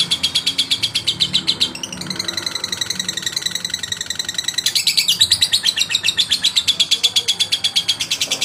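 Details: Male lovebird trying to rouse a rival: fast harsh chatter that turns into a smoother, more tonal stretch, then breaks back into loud, scratchy rapid pulses to the end.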